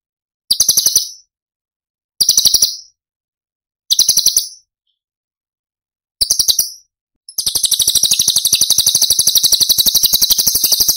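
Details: Cucak cungkok song used as a masteran (tutor) recording for training other songbirds, in the tembakan style: short buzzy rattling bursts repeated about every two seconds, then a long continuous rapid rattle. High-pitched and harsh.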